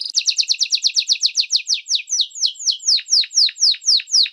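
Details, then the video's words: Canary song for training young and adult birds: rapid tour of repeated descending chirps, about four per second, slowing gradually into broader downward-sweeping notes. "Canto Longo Para Ensinar Canários do Reino e Belgas em Treinamento - Filhotes e Adultos"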